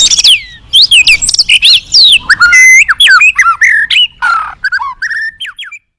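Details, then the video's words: Contest white-rumped shama, caged, delivering a fierce song full of imitative fill: steep downslurred whistles and high squeaks, then chattering, bubbling notes and short rising whistles that fade toward the end. "siapa di gantang burung ganas full isian mewah"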